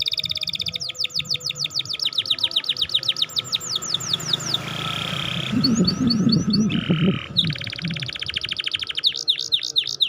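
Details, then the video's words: Canary song used as a lure to stimulate young or lazy, silent canaries into singing steadily: fast repeated high chirps and rattling trills, then a brief lower buzzy passage and more rapid high trills and sweeping notes. "Kenari cuit-cuit gacor !!? Pancingan kenari macet, perangsang kenari paud, kenari malas bunyi."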